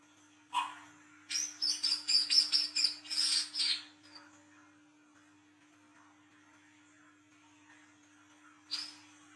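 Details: Olive-backed sunbird in an energetic chattering 'ngriwik' style, used as a lure for young birds: one sharp note, then a rapid burst of high, buzzy twittering notes for about three seconds, a pause, and a final sharp note, over a faint steady hum.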